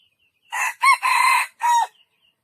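A junglefowl crows once in four quick, harsh, clipped parts, the third long and steady, all over in under two seconds; a faint high buzz sits behind it.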